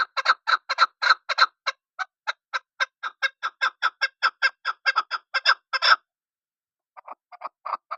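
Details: Chukar partridge, known locally as chakor or desi chakor, giving a rapid series of harsh clucking notes, about four per second, building steadily for six seconds, then a pause and a softer, scattered restart.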